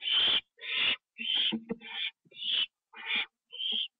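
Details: Owl taking a treat inside its box at night, 25 September 2011, 1:52 AM. Rasping, breathy screeches follow one another quickly, about six in four seconds, mixed with low scuffling and clicking sounds.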